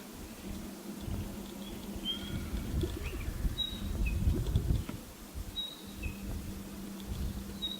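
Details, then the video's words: Spotted pardalote giving its high two-note call, a clear higher whistle followed by a slightly lower one, repeated a few times over heavy low rumbling noise and a steady hum. "Spotted Pardalote bird call"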